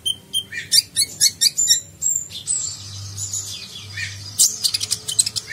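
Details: Sunbird (konin) singing in nagen style as training recording for contest birds: a run of quick high chirps, a long thin whistle, then a rapid buzzy chattering trill, low hum in background.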